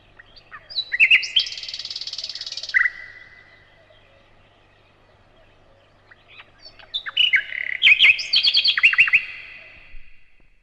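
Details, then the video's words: Nightingale delivering a dense buzzy trill held for over a second and ending in a downward slur, then after a long quiet gap a lively, fast burst of mixed chirps and short trills. "Пение соловья"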